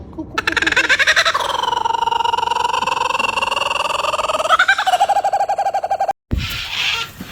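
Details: Kookaburra laughing indoors: a long, rapid, rolling series of pulsed hoots, held level for several seconds and then rising into a louder cackle before breaking off, followed by a brief noisy rustle.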